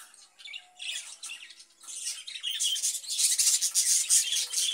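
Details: Budgerigars kept in a cage, chattering in rapid scratchy chirps that build from sparse bursts into a continuous loud twitter.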